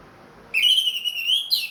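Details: Caged ring-bred orange-headed thrush singing after completing its moult: one sustained, clear whistled note held nearly a second, ending with a short higher flourish.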